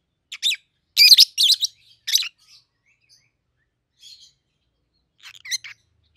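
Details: Pair of peach-faced lovebirds, 7-8 months old, red-headed green opaline and red-faced dark green; a few sharp, piercing chirps early on, then scattered faint twitters in a quiet room.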